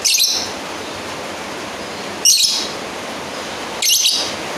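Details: Three bursts of harsh, high chattering from a lovebird calling a rival, spaced about two seconds apart, against a low steady hiss.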